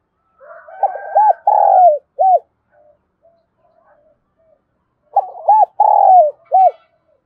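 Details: A decoy spotted dove in Đồng Nai, Vietnam, calls out with two phrases of mellow, low coos, each a run of short notes and a longer drawn coo, about four seconds apart.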